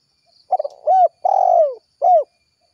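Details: Spotted dove calling its companions in the lively 'kuk 1' style: a few short stuttering notes, then a rising hooked coo, a long level falling coo, and one more hooked coo, clear and without background.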